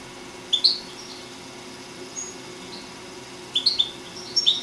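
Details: A four-year-old European goldfinch from Sant Salvador de Guardiola sings short bursts of bright, tinkling, high twittering notes separated by quiet gaps, over a faint steady hum.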